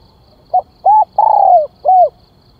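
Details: Calling spotted dove for luring wild birds: a quick soft note, a short coo, a long tremulous coo gliding downward and a final curved coo, over a quiet background with a faint high hum.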